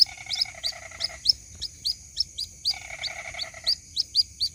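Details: White-breasted waterhen chick calling for its mother, as a lure sound: thin high chirps repeated briskly, with a lower grating pulsed trill at the start and again midway.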